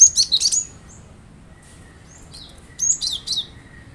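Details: Cinereous tit (glatik batu) singing, played as a lure so kept birds join in: two short bursts of sharp, very high chirped and slurred notes, one at the start and one near the end, with quiet pauses between.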